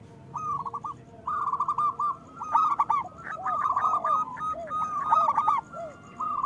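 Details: Several local zebra doves singing, used to encourage moulting or reluctant doves: overlapping trilled coo phrases, some louder, with lower downward-curving coos answering.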